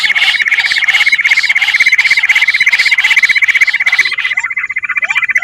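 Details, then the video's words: Lure call of bush quail: a rapid, rhythmic, high-pitched trill of pulsed notes, about four a second, steady in pitch, with a brief change in tone near the end. "Bater ki awaaz madi gundari quilling sound bush Quil sound"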